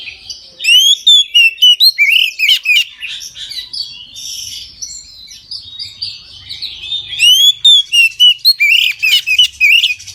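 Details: Full midday song of an Oriental magpie-robin, used to spur other magpie-robins to sing: energetic strophes of loud sweeping whistles and sharp clicks, a softer warbled middle section, then another strong burst of whistles.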